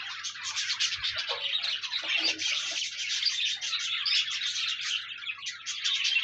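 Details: Budgies warble nonstop in a recording made to encourage a lonely pet budgie to sing, a bright jumble of twittering chirps and buzzy squeaks with a couple of faint low taps.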